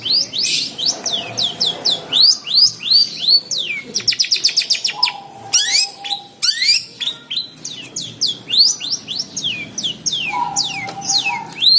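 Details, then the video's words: Long-tailed shrike (cendet or pentet) in a cage, singing despite being provoked: a fast varied chatter of sweeping squeaks, a rapid trill-like burst, then more jumbled squeaky phrases, a faint steady tone now and then. "Cendet Galak tapi Gacor | talk to cendet birds for good singing"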